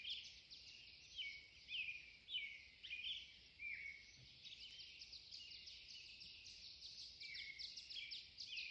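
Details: Birds singing at 4 am in a backyard in Pierce, Idaho: several overlapping high, twittering and warbled phrases with rising and falling notes, steady and continuous, quiet and distant, with no other sounds.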